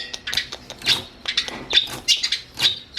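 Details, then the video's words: Long-tailed shrike song recorded as training audio for other songbirds: high, scratchy chattering bursts, clustered notes pouring out in quick uneven groups over three seconds, with no other clear sounds. "KICAUAN BURUNG CENDET"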